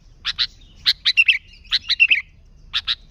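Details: Lively sooty-headed bulbul song used to lure bulbuls, free of other birds: paired sharp chips mixed with short warbled, slurred whistles, coming in loose groups about every second.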